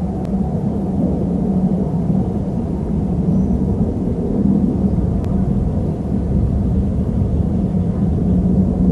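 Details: Steady low rumble of vehicle or aircraft engine noise fills the recording throughout, with no animal calls standing out.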